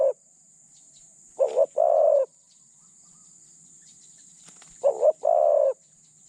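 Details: Spotted dove working as a decoy to draw in other doves: the tail of one coo, then two paired phrases, a quick stuttered note leading into a drawn-out low hoot, with long pauses between them, against a faint high hiss.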